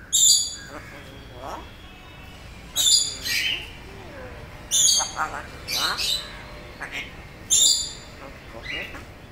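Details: Pet African grey parrot repeating familiar words, delivered as five loud raspy bursts about every two to three seconds, each followed by softer speech-like warbles and brief whistled notes.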